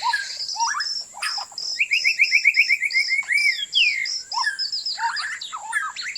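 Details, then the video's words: White-rumped shama song used as a lure for bird trapping: rapid series of sharp whistled and chattering notes, a run of quick repeated rising chirps, varied fluttering phrases, with a steady high insect-like hiss throughout. "สียงนกกางเขนดง(บินหลาดง)เสียงต่อ คม ชัด"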